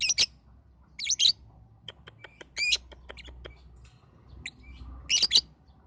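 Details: Lovebird lure sound meant to get young lovebirds singing: short bursts of sharp, high chirps near the start, around one second and again near five seconds, with thin scattered ticks and clicks between them over a quiet background.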